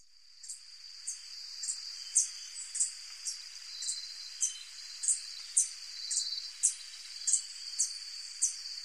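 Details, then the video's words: White-tipped sicklebill (Eutoxeres aquila), a hummingbird, calling and singing: thin, very high squeaky notes, repeated about twice a second, over a steady high insect drone. "White tipped sicklebill (Eutoxeres aquila) sound - Call and song"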